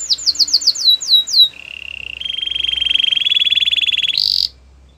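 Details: Canary song to make other canaries sing: a quick string of falling whistles, then a long, steady, low rolling trill that jumps to a brief high buzzy burst before fading.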